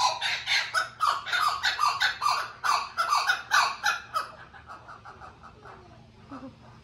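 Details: A blue-winged kookaburra at a zoo gives a harsh, raspy cackle, less laugh-like than expected, of about three squawking notes a second for four seconds, then trails off into quiet.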